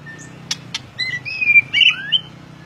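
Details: White-rumped shama singing in the ngeplong style: two sharp clicks followed by a few clear, drawn-out whistles, one rising at the end, over a soft background hum.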